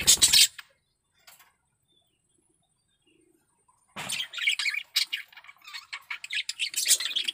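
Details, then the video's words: Male budgerigar in breeding condition: a loud harsh burst at the start, near silence for over three seconds, then a quick scratchy chattering warble of chirps to the end. "Suara Burung Parkit Jantan || BIRAHI PARAH"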